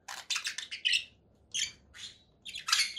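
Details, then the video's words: Three bursts of harsh, noisy conure parakeet squawks, each a quick cluster of rasping notes, over a low background hiss. "7 hours of relaxing conure parakeet sounds"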